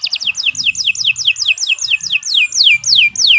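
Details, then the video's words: Canary singing a steady series of loud downward-sweeping whistled notes, about three per second, each sliding from high to lower pitch, with faint low background hum. "Kicau Burung Kenari 165 II LUAR BIASA GACOR PANJANG"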